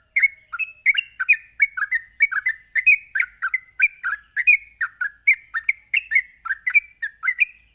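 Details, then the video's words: Sooty-headed bulbul singing its rapid 'ropelan' song to incite other bulbuls: a steady stream of sharp, slurred whistles, several per second, some doubled, with no breaks and a faint high-pitched hiss behind. "Cukup Sekali Pancing Trucuk apapun bakal Nyaut ngropel Emosi dengan suara Ropelan Trucuk ini"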